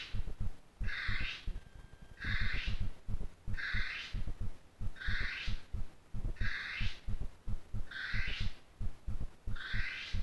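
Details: At night near Russell Wharf, New Zealand, a trail camera records a female North Island brown kiwi. Six hoarse, raspy calls come roughly every second and a half, with regular low thumping pulses underneath.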